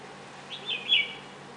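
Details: Red-whiskered bulbul visiting a garden bird bath in Mysore, India, to drink and bathe, recorded from a kitchen window: a brief warbled phrase of two or three sweet, wavering notes lasting about half a second over a soft background hiss.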